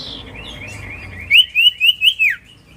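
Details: Common iora singing, used as a lure to draw an immediate reply: soft buzzy lead-in, then five loud, evenly spaced whistled notes, the final one dropping sharply in pitch; quiet low hum behind.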